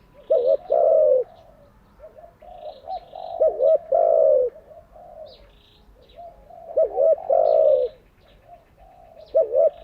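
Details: Caged decoy spotted dove cooing, recorded for daily training of newly caught and decoy doves; low hoarse phrases with a short double note followed by a long drawn-out coo, three phrases, with quiet gaps between.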